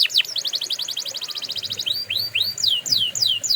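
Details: Canary song for training canaries: a fast, even trill of repeated high notes for almost two seconds, then a series of separate rising-and-falling swept whistles. A faint low hum sits beneath.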